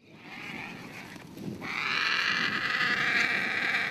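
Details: Vultures descending in numbers onto a carcass in the bush, excited while feeding: harsh, hissing, broadband screeching swells up after a quieter start and carries on as a continuous raucous din.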